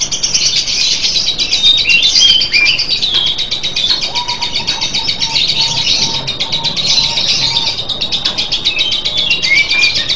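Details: Long ngekek trill from a lovebird, a sustained high chattering buzz of fast pulses with brief squeaky upslurs, and a faint lower repeated note in the middle section.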